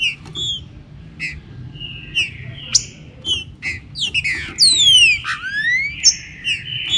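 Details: Warm-up singing of a green-winged saltator with rain: scattered short chirps and brief whistles at first, building into strong clear whistles that slide down and then up near the end, low rumble beneath.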